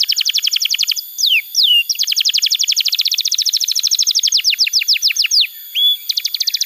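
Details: Vigorous canary song for training young canaries and restarting silent ones: long runs of rapid repeated chips broken by a few drawn-out falling whistles, continuous and loud throughout.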